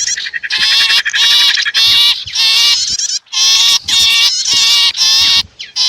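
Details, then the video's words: Mixed small-bird calls, a blend of sipu and prenjak used to lure wild birds closer: loud harsh buzzy chattering bursts with rich harmonics, repeated in near-continuous blocks with brief gaps. "Suara Ampuh Pikat Burung Kecil"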